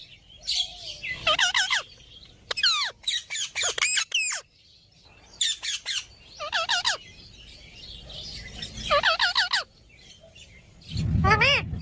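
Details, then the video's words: Pet Indian ringneck parrot talking and squawking: clusters of quick harmonic, up-and-down syllables in bursts, with gaps between, and a loud ascending screech near the end over low rumble. "Talking parrot video|Ringneck parrots"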